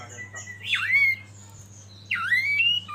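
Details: Oriental magpie-robin (kacer) from a masteran training recording, giving two separate loud whistled phrases, each a swooping note that dips then rises and holds, with a quiet gap between them and a steady low hum beneath.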